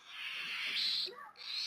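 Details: Baby albino cockatiel chick, hand-fed and with food already in its crop, giving a hungry begging cry: a swelling, raspy hiss that grows louder, breaks off briefly, then returns as a harsh screech.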